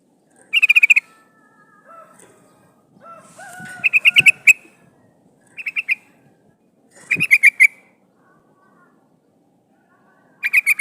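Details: Female sooty-headed bulbul calling to a male, used as a lure to trap wild birds: short bursts of rapid chattering notes in clusters every few seconds, with soft lower whistled tones and faint rustling between.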